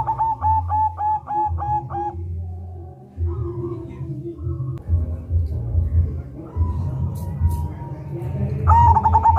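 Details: Local zebra dove song, used as a lure to set other doves singing and for trapping, with a rolling phrase up front: a quick run of about six short, ringing coo notes, another burst near the end, over steady low humming.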